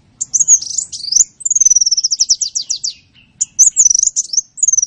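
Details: Sunbird song used for training songbirds: high twittering notes, a long trill of quick repeated notes slowing toward the end, then more high chattering phrases.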